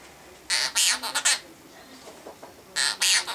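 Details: Half-moon conure, a captive male, singing a mimicked nursery song: two groups of loud, scratchy squawk notes, four then two, separated by a quieter pause.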